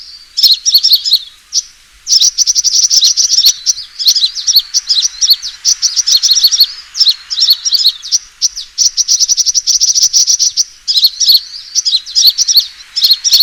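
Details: Sunbird fighting call played as a lure for trapping birds; long runs of high, piercing chattering trills and quick chirps, broken by short gaps, bright and insistent throughout.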